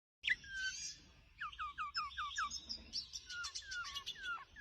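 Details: Caged male parrot chirping: a run of short, falling, whistled notes about twice per second, then quicker high twittering and bright chirps with a faint background hum.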